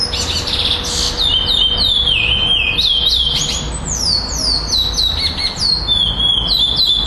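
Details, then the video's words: Black male chestnut-bellied seed finch singing at a tournament in Florianópolis, 11-12-2011, where it took second place. Fast whistled phrases dip and rise in a continuous chain, then end in repeated downslurred notes, over a steady background hum. "GUARA 2º LUGAR FLORIANOPOLIS PRETO COM REPETIÇAO TORNEIO 11-12-2011"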